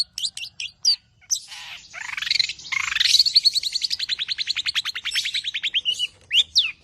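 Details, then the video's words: Tame long-tailed shrike singing a full, richly varied song with rapid 'nembak' shots, used to prompt and tutor other birds: sharp scattered chirps, buzzy rising sweeps, then a long fast even trill slowly falling, ending in high slurred notes. "BURUNG CENDET JINAK GACOR JUARA SUARA FULL ISIAN NEMBAK"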